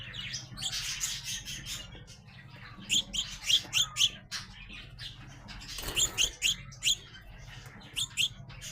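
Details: Young sparrows, described as growing up, utter loud clipped chirps in small bursts of three or four, separated by quieter softer twittering, with a constant low electrical-sounding hum behind.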